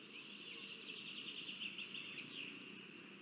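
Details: Northern goshawk chicks at a nest in Riga, Latvia, on 17 May 2024, while the female Perle feeds them, give a steady stream of high, thin chipping and whining calls over a faint low rumble.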